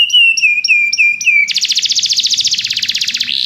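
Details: Belgian canary singing, used to stimulate other canaries to sing: a run of clear whistled notes repeated about four times a second with a hooked drop, then a fast buzzy trill of rapid strokes ending in a short rough burst.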